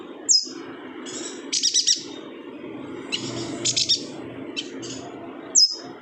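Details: Yuhina from Kalimantan singing briskly, meant as tutor song for other birds: piercing downslurred whistles open and close a run of rapid high chirp clusters of four, over a low murmuring background.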